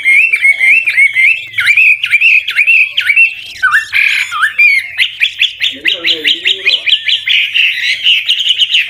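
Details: An old wild Chinese hwamei delivers ever-changing, ornamented song to prompt young birds to sing; repeated dipping whistled notes, a brief harsher burst, then a rapid even series of bright rising notes.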